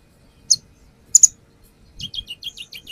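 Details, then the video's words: Brown-throated sunbird singing as a lure recording, showing off its song fill-ins: a sharp high chip, a doubled chip, then a rapid series of thin descending twittered notes, with a quiet background. "AKSI KONIN NAGEN BONGKAR ISIAN | Pancingan konin"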